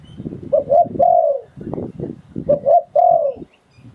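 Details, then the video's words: Spotted dove decoy bird from Thailand in 'sai phon liu tan' style gives two phrases of soft low coos, two short notes then a sustained falling coo, with clicking and rustling sounds between phrases. "เสียงนกต่อดิน 2022 สายโผน หลิ่วตัน"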